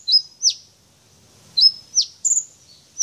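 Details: Brown-throated sunbird, a champion, pours out its learned phrases: a flat high whistle opens, followed by sharply falling chirps and a trilled double note, separated by a brief silent gap.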